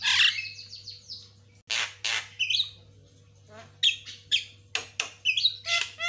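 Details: White-rumped shama singing fast lure and master-training song, birds answering each other: an opening buzzy whistled trill, then sharp clipped notes and short warbled phrases in separate bursts, with steady background hum.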